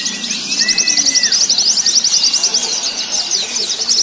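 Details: White-eyes in a simulated singing contest with several birds at once, giving high, thin, rapid twittering trills that run on without pause, with a brief lower whistle near the start.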